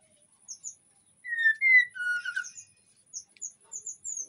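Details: Breeding-condition white-rumped shama in an aviary in Indonesia, singing to draw other shamas: soft high thin notes, two clear sustained whistles, a short chattering flourish, then scattered very high downslurred peeps.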